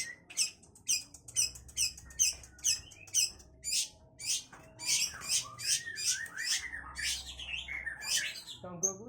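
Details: Long-tailed shrike from Ngawi, singing vigorously with a full repertoire of mimicked fill-ins. Rapid bursts of high, sharp, scratchy notes about twice a second, then denser chattering with varied whistles and lower descending notes near the end.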